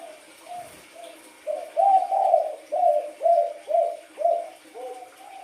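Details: Wild-coloured spotted dove starting with a few soft coos, then a louder run of about eight throaty, slightly rolling notes at a steady pace of two per second.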